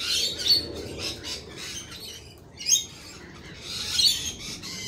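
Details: Several lorikeets make harsh screeches in short bursts, with thin squeaks in the gaps and one sharp, loud shriek near the middle.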